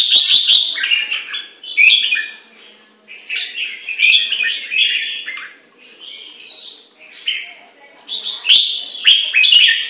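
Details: Caged red-whiskered bulbul kept in Singapore, training in the long gun song style, delivers loud bubbly whistled phrases that rise and fall, each about a second long, separated by brief pauses, with faint clicks in the background.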